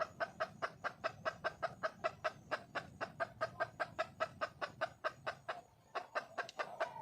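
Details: Red junglefowl hen, wild, calling to find a mate: quick repeated clucks in an even run, a brief pause near the end, then renewed clucking.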